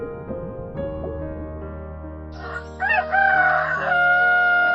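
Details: Rooster crowing: a loud, drawn-out harmonic crow rises and then holds steady through the second half, over continuous background music with soft plucked notes.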